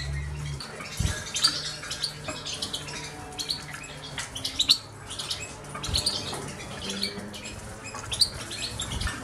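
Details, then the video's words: Five goldfinch hybrids, crosses with canaries and Himalayan greenfinch, kept as caged birds; bright twittering and chirping phrases in short bursts, several birds overlapping, with a low steady hum underneath. "hybrides de chardonnerets"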